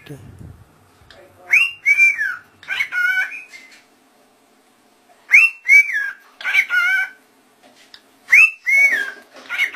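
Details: Talking rose-ringed parakeets, birds said to call out "Allah" clearly. A short hoarse, whistled three-syllable phrase, rising and then falling, is repeated three times about every three and a half seconds, with quiet pauses between.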